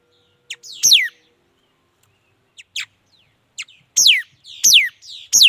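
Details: Mi dat bird singing: loud, clear whistled notes that sweep steeply downward from high to lower pitch, given in quick bursts with short soft chips between them, over a quiet background.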